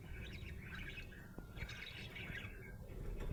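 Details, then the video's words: Happy budgerigar chirping: a chattering run of short warbled notes and squeaky twitters, with low rumbling background noise throughout. "Happy budgie chirping sound"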